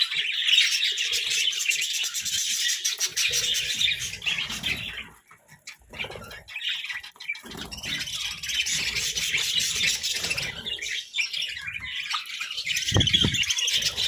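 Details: Budgies feeding on fresh vegetables keep up a lively warbling chatter of quick repeated chirps, falling briefly quiet midway before resuming, with low rustling and pecking sounds.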